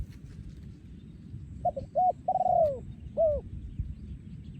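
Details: Spotted dove, a breeding male, gives one 'yon ku ang' style phrase after a quiet start: quick short coos, a long downward-sliding coo, and a last short coo. Steady low hum underneath.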